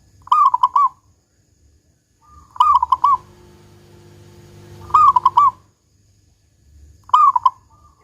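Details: Zebra dove, local bird, repeating its big 'kung' song as a lure for other doves: four rapid cooing phrases about two and a half seconds apart, a low humming noise under the middle of the clip.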